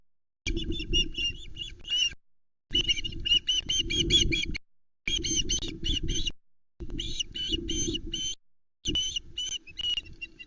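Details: Three osprey chicks call at the Loch Arkaig nest, 19 July 2020, in the afternoon as an adult brings a fourth fish, a whole trout, and the young squabble over it. Series of high, piping chirps come in repeated bursts over low wind noise.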